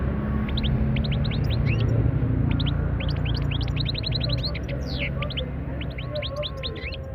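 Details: European goldfinch singing a fast, bright twitter of short upswept tinkling notes, delivered in quick runs with brief pauses, over a loud steady low rumble.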